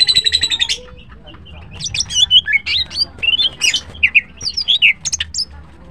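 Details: Green cucak (greater green leafbird) kept as a cage bird, singing melodiously in the morning: a fast buzzy trill opens, then a lively, varied stream of whistles, chips and warbled slurs continues almost without pause.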